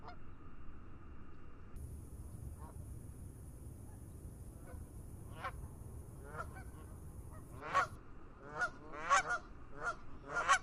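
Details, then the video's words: Geese calling in fog over a lake: after a quiet start with low rumble and a steady high hiss, harsh nasal honks build from about halfway, repeated roughly twice a second and growing louder toward the end. "Geese Calling in the Fog"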